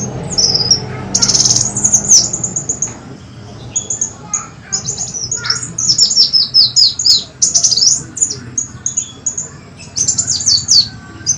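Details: High-pitched sunbird twittering from a kolibri wulung lure track, meant to attract birds: sharp chips, short trills and clusters of falling slurred notes in irregular bursts over a faint low hum.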